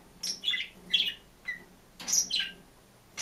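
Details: A single green budgerigar kept alone in a cage chirps and sings, giving irregular soft warbled chirps, some sliding downward, in loose clusters of two or three, with a faint low hum underneath.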